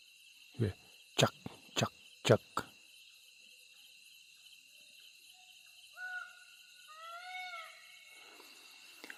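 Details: A nightjar calls continuously on a moonlit, starry night near Rajaji National Park, Rishikesh, India, giving a run of hard, knocking chuk notes over a night-insect drone, believed to be territorial, while barking deer alarm nearby.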